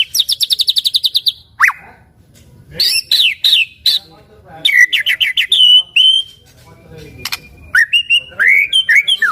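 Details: Gacor white-rumped shama, played to provoke other shamas to sing in reply, opens with a fast rattling trill, then loud sweeping whistles and chatter, with faint background noise.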